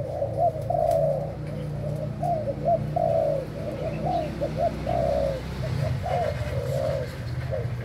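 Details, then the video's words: Spotted dove, Thailand type, kept for breeding, delivering a long series of repeated mellow coos, short notes alternating with longer drawn ones, over a persistent low-frequency hum. "Cu gáy thailand sinh sản"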